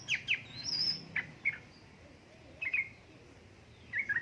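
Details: Yellow-vented bulbul, female calling the male, sound used to stimulate lazy birds to sing: short bright chirping phrases in spaced bursts, a rapid 'ngeriwik' roll of notes, with quiet pauses between.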